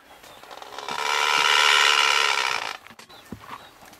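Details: Red-footed Booby (Sula sula websteri) on Genovesa, Galápagos, Ecuador, May 2012, giving one long, harsh, grating squawk of about two seconds, rough and rasping throughout, then a few faint clicks and low background noise.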